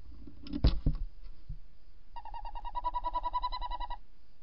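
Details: Tawny owl, the female calling at the nest-box entrance on camera and the male outside, early morning of 28 December 2018; knocking and shuffling sounds, then a rapid bubbling trill of about three and a half pulses per second.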